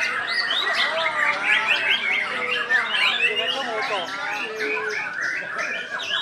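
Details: White-rumped shama (murai batu) in a caged singing competition in Indonesia, a double winner. It delivers a dense run of fast, high chattering notes, sweeping whistles and trills against steady music.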